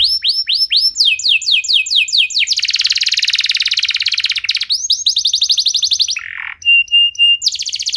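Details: Canary singing as a lure for other canaries: rapid downslurred notes, then a long rattling trill, a quicker note series, a short harsh burst and high pure whistles in quick succession.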